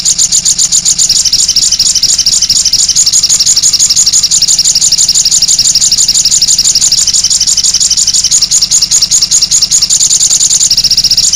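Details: Sogok ontong (little spiderhunter) lure recording meant to set other birds singing: a long, unbroken stream of shrill, rapid chips, roughly two bursts each second, steady throughout, with a low engine-like hum behind.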